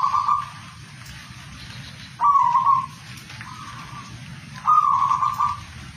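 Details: Zebra dove song of short, soft, purring coo phrases, some brief and some longer, repeated every couple of seconds against a steady low hiss.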